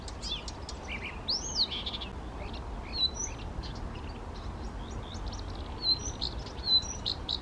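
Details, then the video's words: Blyth's reed warbler, a singing male recorded in the Czech Republic near Bukovský pond by Těchařovice on 19 June 2014, first national record, singing spontaneously; varied high chirps, arched whistled notes and short trills scattered through a steady low background hum. "Rákosník pokřovní, Blyth's reed warbler, Buschrohrsänger, Садовая камышовка, Zaroślówka"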